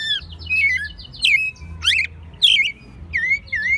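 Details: Caged American robin in Mexico City, spring 2020, its song still somewhat rough; loud caroling phrases of rising and falling whistles broken by shrill high squeaks, with a low mechanical hum beneath.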